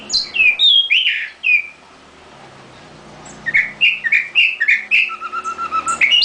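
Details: Caged nightingale with swooping slurred phrases, a pause, then a steady series of short rising chirps with a low even trill running underneath.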